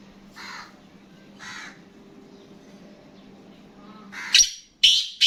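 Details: Black francolin: two soft husky notes a second apart, then a loud series of three harsh, grating bursts at the end, over a faint low hum.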